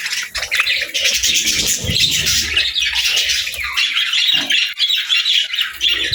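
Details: Pet budgerigars, described as happy birds, keep up a dense, continuous chatter of scratchy chirps and warbles with squawky notes mixed in, several birds overlapping throughout.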